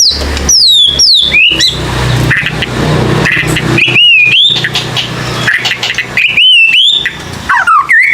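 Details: White-rumped shama song used as a lure to get young birds singing: loud clear whistled notes sweeping up and down, some slurred downward, separated by short gaps, over a steady low hum.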